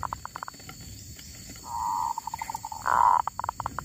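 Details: Wild female zebra dove uttering scattered short coos, then a smooth rolling trill breaking into pulses, followed by a louder burst and more clipped notes, over rustling noise and a constant high whine.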